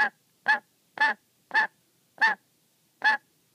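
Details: Pet black-capped lory sounding angry and wary, annoyed at being watched while playing with a beloved sock; seven rasping, honk-like squawks, unevenly spaced about half a second apart, with silence in between.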